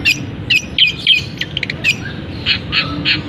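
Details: Caged long-tailed shrike giving mimicry song with canary and other birds' phrases: harsh, squawky chirps spaced unevenly, several each second, between brief buzzy notes.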